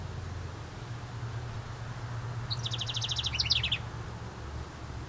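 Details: A house wren nesting in a ceramic birdhouse by a cabin, recorded in summer, 15 May 2019, gives one quick, bubbling song of rapid high notes that tumbles into a descending trill, over a steady low hum.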